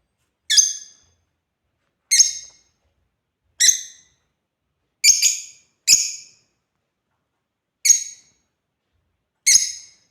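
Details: African lovebirds at play repeat short, piercing, high chirps about every one and a half seconds, seven calls in all, one pair coming close together, with silence between.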